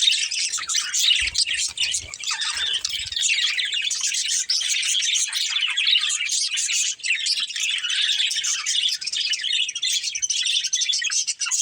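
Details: Budgie breeding pair singing in a continuous, rapid high twitter of chirps and squeaks, with a few low taps early on.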